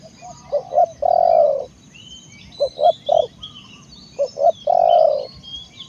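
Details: Spotted dove cooing: three phrases, each of two short rising notes and then one long, low, throaty coo, over steady low background noise with faint higher bird chatter.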